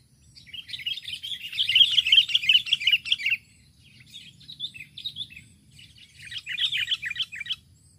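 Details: Sooty-headed Bulbul calling to a rival, used as a lure call: three bursts of bright, chattering notes, the first loudest and longest, with softer twittering between, over a faint low rumble.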